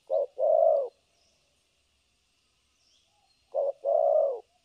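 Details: Spotted dove decoy bird for trapping, Vietnam; two soft double coos, short then long, separated by about three seconds of quiet, with faint distant chirps.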